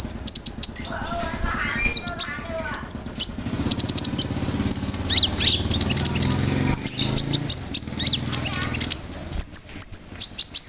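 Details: Konin bird song filled with imitations of cricket, brem, kamade and rambatan, recorded as tutor material for other songbirds: rapid high chirps and sharp whistled notes in bursts, over a steady low engine-like rumble through the middle.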